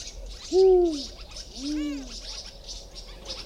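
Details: Spotted eagle-owl in a garden in the morning gives two deep, mellow hoots about a second apart while small garden birds mob it with constant scolding chatter; another owl may give a nasal warning call, and chicks are suspected nearby.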